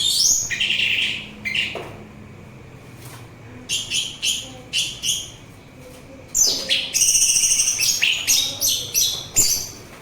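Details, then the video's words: Lively orange-headed thrush song, played as therapy and bird lure: dense runs of quick high chirps and slurs, briefly pausing, then a long rapid stuttering sequence of repeated notes, over a faint hum. "Begitu Syahdu Suara Anis Merah"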